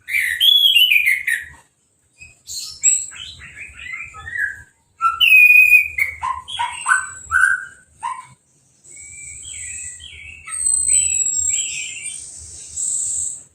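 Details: Caged orange-headed thrush singing right after moulting and a hose-spray bath, uncovered. Loud varied song of clear whistled and slurred phrases, some falling, broken by short pauses, with a faint low rumble beneath.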